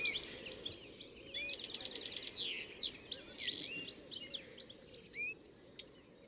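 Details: European goldfinch at Fobney Nature Reserve, Reading, UK, in early summer, giving bright, tinkling twitters and quick high chirps in a rapid, uneven stream, with faint background chatter from other birds.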